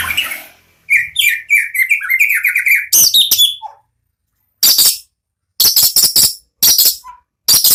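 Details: Caged white-rumped shama from a champion bloodline, singing prolifically: a rapid run of warbled, up-and-down whistled notes, then a second phrase of loud, harsh, broadband rattling bursts separated by short pauses.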